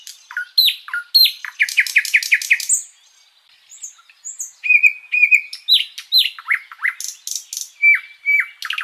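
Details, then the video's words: Flycatcher (sikatan londo) in continuous master song for tutoring other birds: downslurred whistles, a fast rattle of upward notes, a brief pause, then flat whistles, plunging slurs and buzzy ticks in lively succession. "Masteran Burung sikatan Londo gacor panjang"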